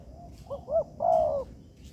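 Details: Tekukur, or spotted dove, in an artificial yard, its call used as teaching material. One phrase is heard: two quick soft notes rising into a longer, louder, slightly descending coo, with faint high chirps behind.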